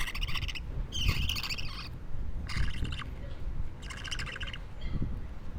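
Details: Raspy, buzzing calls from a two-week-old budgerigar baby, five rough bursts spaced about a second apart, the second slightly wavering in pitch, over constant low-pitched background rumble.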